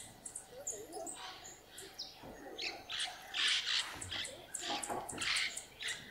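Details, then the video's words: Inca jay at San Isidro, Ecuador: a series of harsh, buzzy calls in quick bursts, several overlapping and repeated across the recording, with other bird chirps mixed in. "inca jay"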